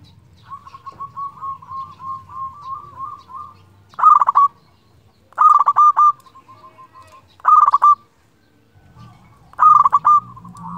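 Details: Local zebra dove singing persistently, a call to rivals used as a lure: a low rolling trilled coo near one pitch, then four loud bursts of stuttering coos each followed by softer rolling trills, with faint low rumble below.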